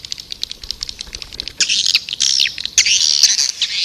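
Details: White-nest swiftlet call used as a lure: soft rapid ticking at first, then loud shrill screechy twitters in longer bursts.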